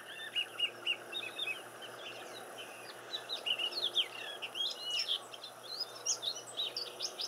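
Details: Silvereye birds visiting a garden, giving a busy stream of high thin twittering notes that grows denser toward the end, over faint background hiss.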